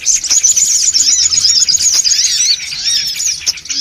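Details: Songon otong birds giving a noisy gathering call used to lure others, a dense high chatter of many overlapping thin chirps and squeaky rising-falling notes with no pause, a faint low hum underneath.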